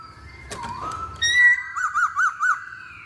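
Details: Chinese hwamei lure song opening with a sharp click, then a long level whistle followed by four quick repeated up-and-down whistled notes.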